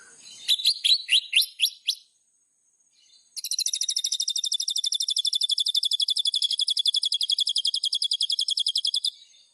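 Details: Caged white-rumped shama in energetic song: a short series of rising whistled notes, a pause, then a long rapid run of sharp metallic notes repeated about four times a second.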